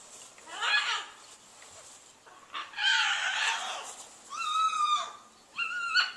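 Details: Big caged pet bird kept on a back porch, crying for many minutes; four harsh squawks, some with falling harmonic bands, each about half a second to a second long, with short gaps between them.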